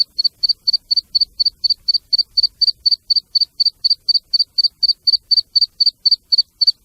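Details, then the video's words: Black francolin chicks calling with their mother: a steady, rapid train of thin, high, sharp peeps, about four per second, very regular, over near silence. "black partridge chicks and female calling for hunting | کالی تیتری اور بچے کی آواز"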